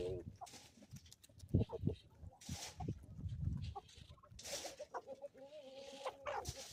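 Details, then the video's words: On an Ozarks homestead in the morning, a few chicken clucks are heard amid low knocking. Bursts of hiss follow, then a sustained, level, tonal call near the end. "relaxing sounds and chickens from the homestead"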